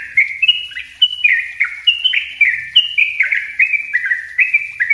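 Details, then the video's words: Rapid 'ropel rapat' song of a yellow-vented bulbul, played as a lure and as a master for raw birds. Bright, bubbling notes tumble downward in close succession, roughly three to four per second, without a break. "suara trucuk ropell rapat buat pancingan dan masteran trucuk bahan"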